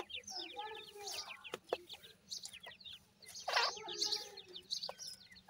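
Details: Female grey francolin with her chicks: many short downward-slurred peeping calls from the chicks overlap with lower clucking notes, a louder burst of calls near the middle, and scattered sharp clicks.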